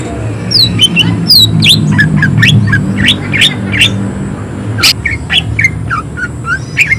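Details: Greater green leafbird in full song with coarse shot notes: rapid downward-sliding whistles and sharp chirps repeated several times a second, mixed with squawky bursts, above a noticeable low rumbling hum.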